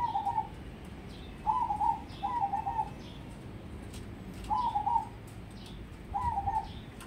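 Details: Crossbred zebra dove kept as a contest prospect, cooing in short, trilled phrases at a low pitch, each about half a second long and coming at irregular gaps, over a steady background hum.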